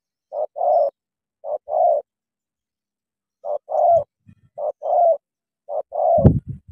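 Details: Decoy spotted dove from Cà Mau facing a wild bird. It gives paired coos, a short note then a longer hoarse one, in bursts separated by a pause, with low thuds and rustling toward the end.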